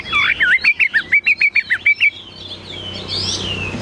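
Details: Caged, tame Chinese hwamei repeating a short whistled note roughly every fifth of a second in a fast, even run for two seconds, then fading into soft noise.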